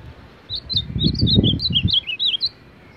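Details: Ultramarine grosbeak, a champion of baderna-style song, delivering a quick phrase of slurred, sweet whistled notes rising and falling over about two seconds, against low rumbling background noise.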